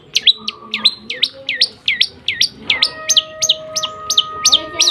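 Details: Lovebird singing in the continuous 'nembak gereja sambung' style: a steady run of high, sharply falling whistled notes, about two a second, over a faint background hum.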